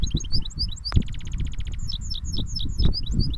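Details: Caged goldfinch hybrid singing cage to cage: scattered bright high chirps, a dense rattling buzz of rapid repeated pulses, then more spaced chirps, with low background rumble and a couple of soft knocks.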